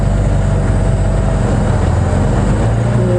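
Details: A steady, loud vehicle engine rumble with low droning tones fills the recording from an afternoon safari drive at Djuma Game Reserve, with no animal voices heard.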